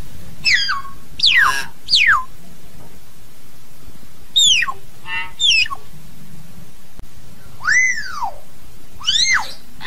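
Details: Hill myna calling to its flock: clusters of loud, sharply descending and arching whistles in bursts of two or three, separated by short pauses, with a low constant hum beneath.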